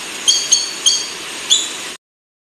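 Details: Buff-banded rail (tikling bulik) from Sulawesi calling: four brief, thin, high-pitched squeaks spaced about a quarter to half second apart against low background hiss, then sudden silence.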